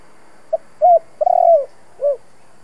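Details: Spotted dove "kích bổi" phrase in the thổ style, used to excite decoy birds. A low tap-like note leads into an arched coo, then a long coo with a rattled onset, ending on a falling note. The background is quiet.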